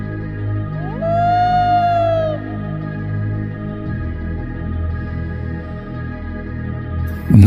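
A loon gives a single eerie, theremin-like note that slides upward, then holds steady for over a second before fading, over a bed of soft background music.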